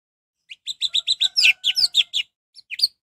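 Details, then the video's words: Energetic orange-headed thrush song meant to stir rival birds to answer: a rapid run of about a dozen clipped whistled notes, some swooping, followed by a short pause and two more notes; a faint steady tone runs underneath. "Anis merah gacor || suara anis merah untuk pancingan"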